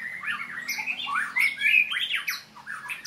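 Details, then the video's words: Caged white-rumped shama during a training session, giving a varied run of harsh squawky notes mixed with sliding whistles, notes falling and rising between mid and high pitch, with a faint low hum underneath. "murai latihan gacorr"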